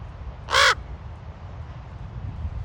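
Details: A raven at Ocean Beach, San Francisco, gives a single harsh hoarse croak lasting about a quarter second, over a steady low rumble of surf and wind.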